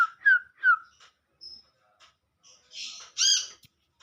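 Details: An olive-backed sunbird (Kolibri kelapa) calls to companions in the wild. Three quick downslurred whistled notes come first, then a thin high whistle and soft ticks, and finally two louder, rasping, buzzy calls near the end.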